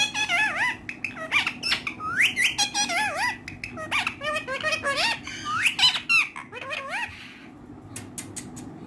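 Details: Friendly talking ringneck parrot speaking in Urdu and Hindi indoors, a run of squeaky, warbling syllables rising and falling in pitch over about seven seconds, then clicks and quieter sounds with a steady background hum.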